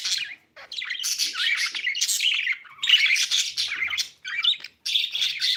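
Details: Pet budgerigar chirping in near-continuous bursts of bright, high twittering warbles and squeaky notes, broken by brief pauses, in a small indoor room.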